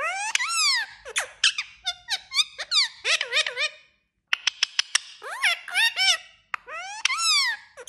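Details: Squeaky, bouncing chirps from a talking parrot: rising and falling harmonic notes mixed with sharp clicks, grouped into fast phrases separated by a short silence midway.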